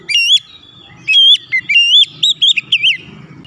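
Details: Oriental magpie-robin, recorded for therapy to make stalled or stressed birds sing, delivering strong clear whistles: sustained level notes, a dipping phrase, then a fast series of looping, up-and-down warbled notes over faint low background noise.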